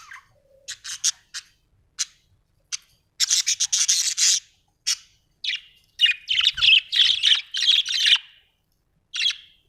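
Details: Budgie chirping: scattered clicks and ticks, then a dense buzzy run of scratchy chatter, followed by a quick series of bright repeated chirps and one last chirp.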